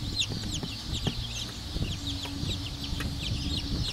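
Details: Many black Cochin bantam chicks peeping, quick high downslurred chirps in a dense chorus, with low hum, a faint steady tone and scattered taps.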